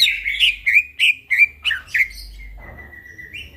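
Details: Night-time song of a greater green leafbird, used as a training master: a quick series of about seven rising, slurred whistles, then one long steady whistle held for about a second.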